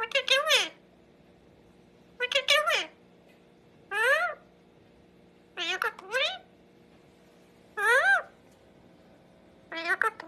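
A parrot gives six short, harmonic, speech-like phrases, about every two seconds, each with swooping, meow-like rising and falling inflections, in a quiet room.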